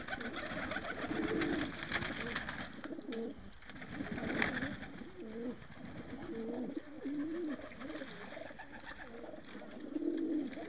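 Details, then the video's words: Purebred Iranian Tehran high-flying pigeons over Iran, flying in the sky; soft, low, wavering cooing phrases repeat irregularly against a steady background hum. "کبوتر پرشی تهرانی اصیل ایرانی پرواز در آسمان"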